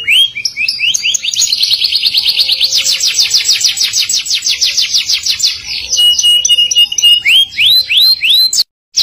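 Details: Lively canary song in the 'kenari gacor ngerol nembak' manner: a long, dense rolling trill of rapid high notes lasting several seconds, then clear rising whistled sweeps repeated in quick succession before a short break.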